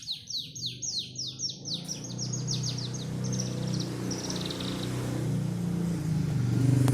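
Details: Panda canary delivering quick repeated high descending notes in a rolling trill, fading after two seconds under a rising low rumbling hum and background noise.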